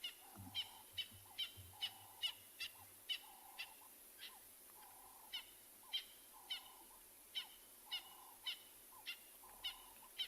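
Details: A francolin calls at sunrise on 25 July 2020 in Tswalu Kalahari Reserve, South Africa, with lions nearby: a steady series of harsh, ringing notes, about two each second, in a quiet background with a brief low rumble at the start.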